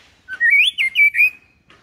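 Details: Calm white-rumped shama song for teaching young birds to sing: one fluid whistled phrase that rises from a low note into four connected warbling notes, ending in a held whistle.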